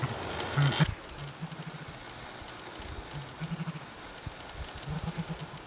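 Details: Displaying male sooty grouse, reddening eyebrows, on June 9, 2014 at Hemlock Ski Resort, after calling in a rival for a skirmish: very deep, muffled hoots in short low clusters every second or two, after a brief burst of loud rustling.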